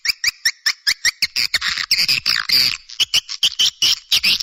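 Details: Swiftlet call for attracting swiftlets: evenly spaced double-toned chips, then a stretch of louder buzzy twittering, then more rapid chips.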